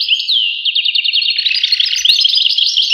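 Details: Goldfinch song: bright, rapid twittering with a quick run of repeated clipped notes, then a brief buzzy rattle and more jingling phrases.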